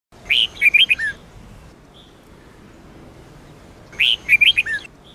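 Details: Red-whiskered bulbul singing in the Sông Kôn style, used for daily training of other bulbuls: two short bright warbled phrases of quick rising and falling whistled notes, about four seconds apart, with quiet between.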